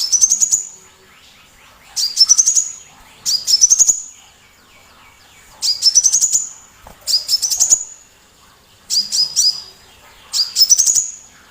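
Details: Sunbird used as a tutor to spur other birds like shamas to sing, delivering loud, shrill phrases of rapid rising chips, seven bursts in irregular rhythm with brief quiet gaps.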